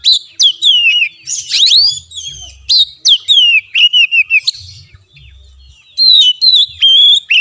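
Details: Oriental magpie-robin (kacer), a tutoring song played so a caged bird that will not sing starts singing. Loud whistled phrases, slurred and falling, come in bursts separated by short pauses, with a quieter gap near five seconds.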